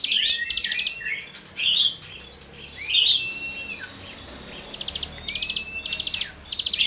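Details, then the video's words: Cigun singing 'gesekan' rasping material used to tutor songbirds: short buzzy rattled bursts of rapid pulses alternate with slurred whistles that swoop up and down, repeated in quick phrases. "CIGUNG GACOR FUL NEMBAK MATERI GESEKAN"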